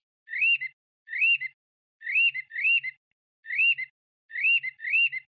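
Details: Chinese hwamei giving short arched whistled notes, single or paired, spaced about a second apart with silence between, quiet low hum faintly underneath.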